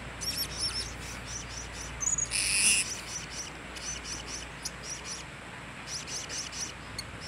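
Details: A lone blue-crowned hanging parrot, recorded 26 October 2017, repeats high, thin, rapid chip notes almost continuously, about three per second, with a brief harsh noise burst partway through and a constant faint hiss behind.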